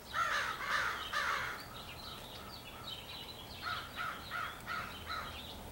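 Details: A large extended crow group, maybe choosing mates, 4 April 2015; two or three loud grating caws open, followed by a run of fainter rapid caws from other birds in the flock.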